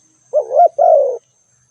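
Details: Spotted dove giving a single calling phrase: a short rising coo followed at once by a longer, smooth coo that slowly falls in pitch. Quiet background apart from a thin constant high hiss.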